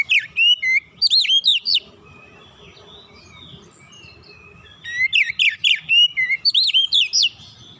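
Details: Oriental magpie-robin singing a relaxed song used as a lure for young birds to sing: two bursts of fast, looping, high whistles separated by a few seconds of soft twittering.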